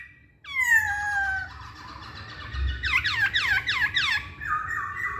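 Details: Masked laughingthrush song for provoking singing. A loud whistle opens and slides slowly downward, then comes a quick series of about six steep, rising-falling notes, ending in an even held whistle. Low engine-like rumble in the background.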